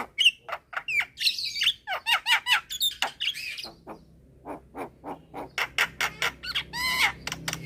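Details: Javan mynas at midday, with a young bird calling to others that respond: a quick series of harsh chattering squawks, a steady train of lower rasping notes about twice a second, ending in a wavering whistle.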